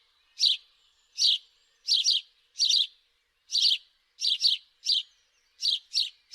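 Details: House sparrow calling with bright, clean chirps, single or in quick pairs, repeated roughly every half second to second with short silent gaps.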